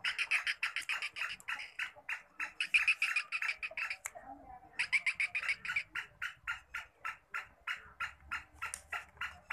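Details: Pet black francolin (black partridge) giving a long run of harsh, grating notes, about three or four a second, with one brief pause, over faint low background noise.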